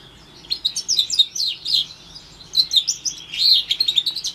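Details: A brief lead-in silence gives way to bright chirps and rolling trills in a high, busy warble, sung by a roughly four-month-old house finch x Timbrado canary hybrid, orange/brown, from 2021.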